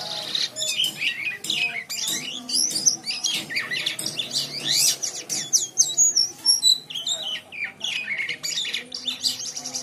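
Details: White-shouldered triller in long, continuous song used as a training model for other birds: busy stream of high twittering whistles, quick slurs and sharp ticks, varied and unbroken throughout, with a low steady hum behind.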